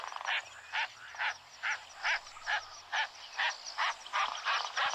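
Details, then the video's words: Lilac-breasted roller giving a quick series of about eleven harsh, grating croaks, rapidly and fairly evenly spaced, with a low hum beneath. "So we did a bird call challenge, and it was in fact a lilac breasted roller, which sounds like this."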